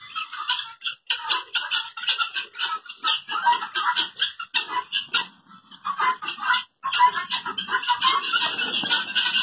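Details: Helmeted guineafowl in Pakistan give harsh, rapid, repeated grating calls in a noisy chattering series.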